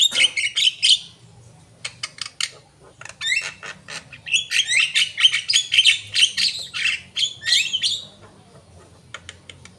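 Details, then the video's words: Asian pied starling singing a busy medley of scratchy squawks, chirps and short whistled slurs, with brief gaps between bursts of chatter. "jalak kebo gacor"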